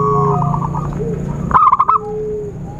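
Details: Luring call of a zebra dove for bird trapping, with a rapid burst of about five staccato cooing notes after soft repeated chirps and a low steady hum.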